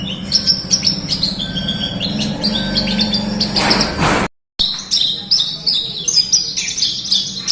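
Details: Lure recording of Horsfield's bush lark meant to get reluctant birds singing: busy high chirping phrases with quick whistled slurs, a brief burst of noise, a short dropout, then more sharp chirps.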